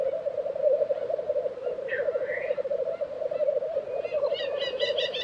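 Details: Black grouse lekking in Tiveden, Sweden, April 2023: an unbroken low bubbling drone, a single rising whistled sweep near two seconds, then a burst of quick high chirps toward the end.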